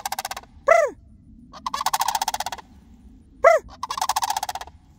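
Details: Sandhill cranes answering a person who calls to them; clear arched notes alternate with two long rolling, rattling trills.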